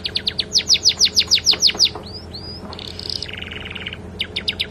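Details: Canary singing a song filled with flycatcher mimicry, kept as a model for training birds: a fast run of descending whistled slurs, two rising whistles, then a buzzy trill and clipped chips.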